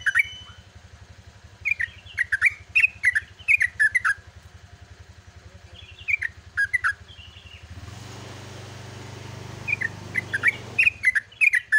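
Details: Yellow-vented bulbul singing at dawn in the long, rapid 'gacor ropel' style: bursts of bubbly, gurgling notes with sharp clicks, interrupted mid-clip by a passing motorcycle's engine roar and a steady low hum throughout.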